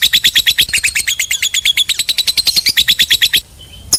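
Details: Lovebird giving a long ngekek: a rapid chattering run of sharp high chips, about three per second... actually many per second, steady for over three seconds, then stopping with a brief thin whistle.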